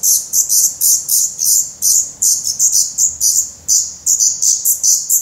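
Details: Hungry Black Redstart nestlings in a Portuguese nest, spring 2020, crying for food: evenly spaced bursts of thin, sibilant high notes, roughly three per second, each swelling then dropping.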